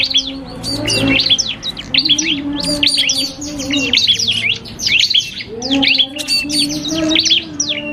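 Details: Cipoh kristal, a common iora, in a song duel against a prinia for bird training: busy trills of sharp chirps and short whistles in clustered phrases with brief pauses, steady hum underneath.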